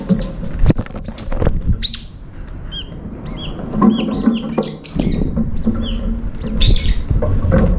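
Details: Several brown-eared bulbuls crowd a feeder and fight each other for the food, giving rapid bursts of high, arched, squealing notes, many overlapping, with wing flutters and low thumps in between.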